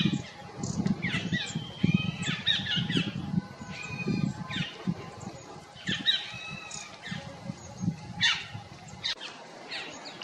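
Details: Stripe-throated yuhina perched in a tree in Jabberkhet forest, Mussoorie, gives clustered sharp chirps and short slurred whistles in irregular runs, over a steady low rumble that drops away near the end.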